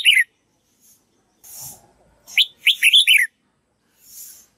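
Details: Red-whiskered bulbul singing to tutor young white-cheeked birds in learning its song: a brief warbled note, then a quick run of four or five rich, rising-and-falling whistled syllables, with soft hissing bursts between.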